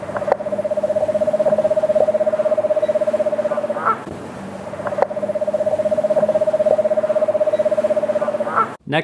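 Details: An eastern screech owl (eastern United States) gives its trill call: two long, even trills, each a rapid purr on one steady pitch lasting about three and a half seconds, in a quiet background.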